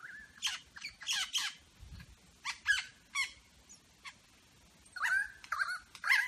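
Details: A superb lyrebird in Berowra Valley National Park mimics eastern whipbird, red wattlebird, rainbow lorikeet, grey butcherbird, pied currawong and what sounds like a motor turning over: harsh squawks, rattles and whistled phrases with short pauses.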